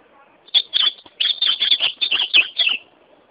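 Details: Singing ultramarine grosbeak delivers a lively, rapid run of clear slurred notes, about a dozen in two linked bursts, high and bright, with brief gaps between groups and a faint low murmur before it starts.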